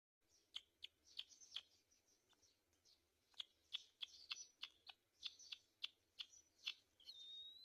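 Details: Black-winged kite at its nest while feeding its chicks: sharp, high chirping notes given in quick irregular bursts, with short gaps and a faint rising whistle near the end.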